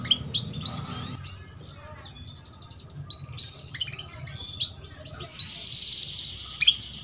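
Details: Female canary "cuit cuit" chirps meant to draw song from young canaries: sparse, high chirps and short twittering runs with longer pauses, ending in a brief sustained buzzy note, over faint background hum.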